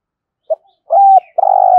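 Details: Spotted dove, a captive lure bird cooing in the morning to call in wild doves, in a 'thổ sấm' voice style: a brief low note, a held mellow coo, then a rolling, burred coo that starts right after.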